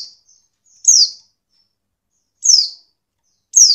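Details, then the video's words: Female Oriental white-eye call used to trigger male song: loud high chirps falling in pitch, three main notes plus faint short peeps, clean quiet background. "pleci betina untuk merangsang bunyi pleci bahan"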